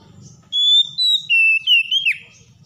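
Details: Stressed Oriental magpie-robin (kacer), provoked into singing, gives a short run of clear sustained whistled notes that step down in pitch and end in a quick slurred dip; faint low murmur beneath.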